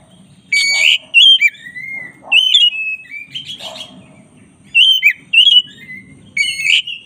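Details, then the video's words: Black-breasted white-rumped shama, caged, sings master song phrases: harsh buzzy notes, quick whistles and falling slurs repeated in short bursts, with a low rumble underneath. "masteran kacer dada hitam GACOR"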